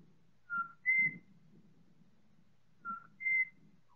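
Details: Four Pied butcherbirds singing in chorus, the recording time-stretched several times, give pure, flute-like whistles: a lower note then a higher one, the pair repeated after about two seconds, over a faint low rumble.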